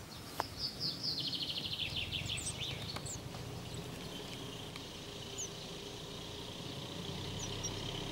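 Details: A marsh tit waiting for food gives a quick run of thin, high notes, then a few scattered high calls, over a steady low rumble of background noise.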